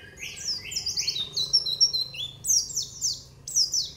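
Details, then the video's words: Nembak-style white-eye training song: continuous lively twittering of quick, high, downward-sweeping chirps in uneven bursts throughout. "masteran pleci nembak cerrrrr wit wiiit"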